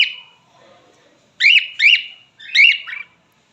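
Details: Male cockatiel, a pet parrot, producing repeated whistled notes that sweep up then drop, with a sustained high tone trailing each; three bursts after a short quiet gap.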